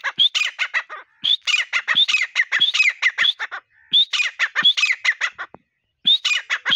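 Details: Partridge call used as a hunting lure: harsh squawking phrases of rapid rising notes near 4k, repeated in bursts about every second, with brief silent gaps.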